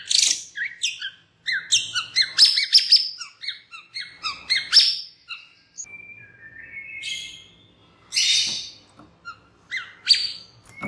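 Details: A white-rumped shama lure recording meant to set other shamas singing: a busy string of short harsh squawks and chips, a level whistled passage, then scattered loud scratchy bursts.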